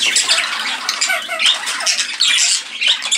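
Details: Budgerigars flying around an indoor birdroom aviary, many birds together: a dense, continuous squawking and chattering with sharp high chirps overlapping throughout.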